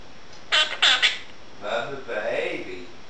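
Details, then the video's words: Pet female Quaker parrot chattering indoors as dishes are washed; two sharp, scratchy speech-like bursts, followed by softer, lower, drawn-out vocal sounds. "Quaker parrot talking"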